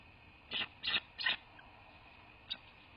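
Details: Bald eagles at a nest in a quaint landscape of southwest Florida, 2 January 2024 around 18:07; three loud, squeaky chittering bursts in quick succession, then one brief high squeak, over steady background hiss.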